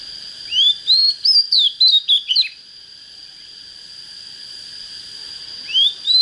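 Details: Young, untrained Oriental magpie-robin beginning to come into fighting form, with a standard voice: a rapid run of about ten sweet rising and falling whistled notes, then a pause before a new phrase starts, with a constant high hum behind.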